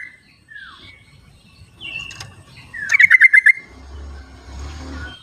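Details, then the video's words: Wild yellow-vented bulbul calling: a loud burst of six quick bubbly pulsed notes near the middle, preceded by faint slurred whistles from other birds and light rustling background. "suara trucuk di alam liarnya buat panggilan trucuk yang tidak mau bunyi"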